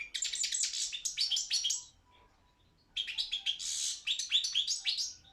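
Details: Song of a Balkan European goldfinch entered in an internet world goldfinch song championship: quick cascading twitters with buzzy rasps, a one-second silence, then a second energetic phrase with a hoarse wheezy note.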